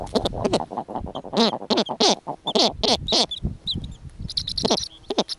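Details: On the Arctic tundra, a snowy owl at its nest among nesting common eiders gives a rapid run of harsh, nasal calls, about two each second, some with a shrill hissing edge and brief pauses between bursts.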